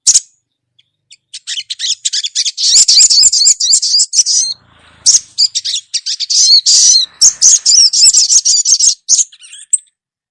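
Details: Female ruby-cheeked sunbird calling to a male, lively; dense, very high, thin chattering with rapid twittering bursts and wavering squeaky notes, a brief pause midway, then another fast, insistent run.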